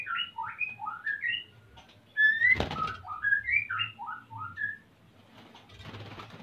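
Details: Male white-rumped shama in breeding condition seeking to mate, female nest-building, bred in Salaman, Magelang, Central Java: a rapid sequence of short varied whistled notes rising and falling, interrupted by a loud knock, before fading into background noise.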